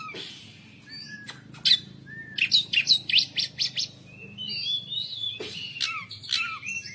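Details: Fresh wild-caught Oriental magpie-robin delivering pletik song: a series of about seven evenly spaced, crisp clicking notes, preceded and followed by short whistles and twittering phrases.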